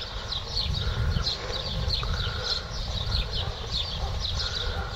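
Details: European goldfinch kept caged and schooled 'a limpio', lacking one 'pirreo' phrase at the song's start. Short bursts of high, sharp chirps come in clusters roughly every half second against constant low background noise.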